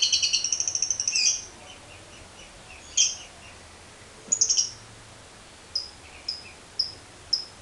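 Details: Long 'ngekek' chatter of a lovebird, used as a lure for other lovebirds: a short rapid high trill that stops, then separate sharp squeaky chirps spaced about a second apart.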